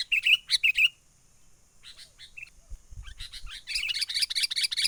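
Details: Sooty-headed bulbul lure call for trapping birds, wild-recorded: three loud whistled chirps, a quiet gap with faint notes and thumps, then a dense, busy stream of rapid chirping.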